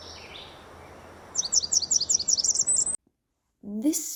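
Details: Blackburnian warbler; song; attracting females and warning off other males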